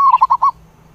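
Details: Zebra dove calling the flock with one short burst of four rapid, bubbling cooing notes that stop abruptly, leaving near silence.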